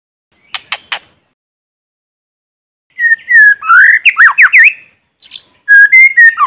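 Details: White-rumped shama, a decoy bird in forest singing to provoke rivals; a few short dry clicks, a pause, then a burst of rich fluting whistles and rapid slurred notes, followed by another bright whistled phrase.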